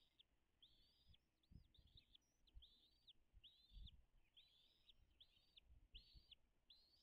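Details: At a wild bald eagle nest beside Dale Hollow Lake on the Kentucky-Tennessee state line, nest camera, 09:56 on 05.03.2022: steady repeated high piping notes, roughly two per second, with occasional low bumps and a hissy background.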